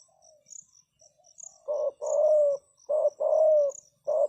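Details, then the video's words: Spotted dove kept as a lure bird, calling to draw in wild doves: soft opening notes, then loud rough coos in short-long pairs with a final clipped note, a faint high insect pulse throughout. "Chim cu gáy chiêu kích mồi tập bổi nhanh nổi hiệu quả"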